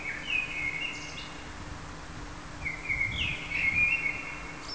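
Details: A common blackbird sings two mellow, fluting phrases a couple of seconds apart, each ending in a thin, squeaky twitter, over a soft background hiss.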